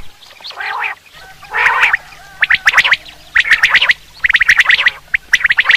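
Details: Common quail call for hunting, starting with two hoarse nasal bursts and then quickening into clusters of fast, snappy ticks.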